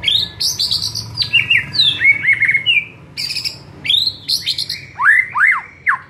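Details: White-rumped shama master recording, played to provoke other shamas into singing: a rich, continuous run of high whistles, chirps and fluty slurred phrases, some rising and some falling, delivered in quick bursts with brief gaps.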